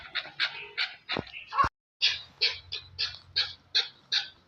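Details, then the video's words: Chukar partridge from Pakistan giving a series of harsh, clipped chucking notes, one or two per second after a brief gap, with a low background hum. "Chakor | chakor ki awaz"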